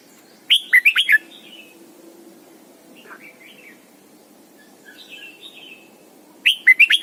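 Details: Caged decoy Red-whiskered bulbul singing a morning 'double-note' wild-style song used to train other bulbuls; two loud bursts of quick whistled, warbling notes, one at the start and one near the end, with quieter distant chirps between.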